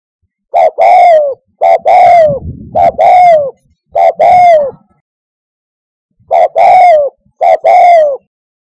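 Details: Spotted dove call suited for luring doves to a hunting hide: loud, rich hollow coos in paired and triple groups, each note slightly falling, with short pauses between phrases; a faint low rumble under one phrase.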